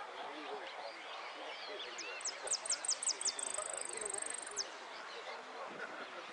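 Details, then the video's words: Saffron finch at a repique song competition in Lanús gives a short run of very high, sharp notes speeding into a fast thin trill, over a busy murmur of voices. "Amarillo de Repique"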